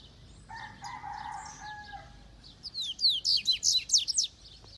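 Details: Coleiro recorded in Itaguaçu, Espírito Santo, Brazil: a fast series of very high, sharp, slurred chirps in the second half, after a lower drawn-out tone resembling a distant rooster crow.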